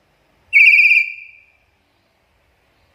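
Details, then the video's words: Black-capped lory lure recording: one sustained, slightly trilled, shrill note about one second long that fades away, followed by silence and the start of another call. "PANCINGAN DAN MASTERAN BURUNG NURI KEPALA HITAM GACOR"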